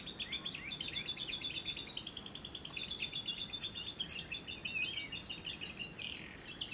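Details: Lovebird sound from a day-and-night lure recording meant to prompt lovebirds to sing, with the long ngekek trill: high, busy, twittering chatter of quick notes running without pause.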